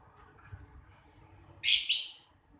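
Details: Lovebird, one of a pair, giving a single brief harsh double chirp in the afternoon over faint low background noise.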